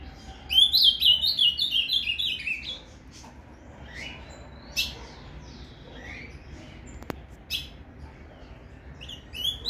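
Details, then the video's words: An ultramarine grosbeak sings a rich, fast warbled phrase of sliding high notes lasting about two seconds, in the Paraná "canto fibra" style used for training, followed by scattered softer chirps. "AZULÃO com esse PARANÁ CANTO FIBRA"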